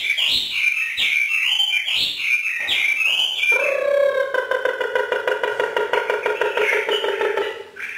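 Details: Northern Vietnamese caged Hwamei performing the free 'hót thả' song: several loud whistled phrases with looping slurs, followed by a long, steady, buzzy rapid trill of evenly repeated notes lasting about four seconds.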